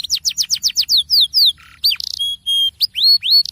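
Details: Canary singing ngerol, the rolling song used to draw other canaries into singing: a rapid cascade of falling whistles, a low buzzy note, a quick rattle, metallic whistles and rising upslurred notes.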